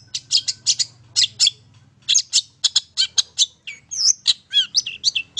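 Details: Long-tailed shrike singing; the recording is meant to draw other birds into song. Harsh, scratchy chatter notes come in quick bursts, broken by clear slurred whistles that rise and fall. A low hum is audible at the start.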